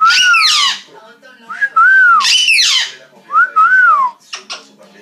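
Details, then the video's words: Cuban amazon parrot making a strange noise: loud whistled notes that arch up then slide down, each overlaid with a harsh raspy burst, three bouts about a second and a half apart, then soft clicks. "Cuban amazon parrot making strange noise"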